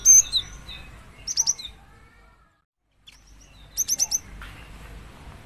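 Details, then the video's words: Female cinereous tit calling a male gives bursts of rapid, high, staccato chirps, one at the start, another after a second and a third after a brief silence. "Suara burung gelatik batu betina memanggil jantan"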